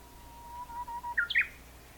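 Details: Japanese bush warbler singing on 26 May 2019: a lower, softer sustained whistle, slightly broken, followed by a brisk burst of two or three higher chirping notes, against low steady background noise.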